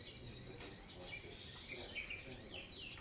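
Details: Brown-throated sunbird singing actively, a recording meant as a lure for birds: a dense, continuous stream of high, thin twittering trills with quick rising and falling sweeps, unbroken for about three seconds.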